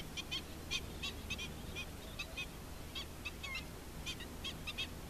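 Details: Adult black-winged stilt with chicks: short, sharp, clipped notes repeated in irregular bursts, about a dozen across the stretch, over a steady low rumble of background noise.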